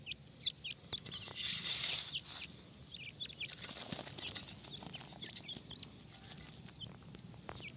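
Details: Grey francolin (teetar) chicks at feeding time give many short, high, thin peeps in rapid, irregular succession. A burst of wing flapping early on and a low background rumble are also heard.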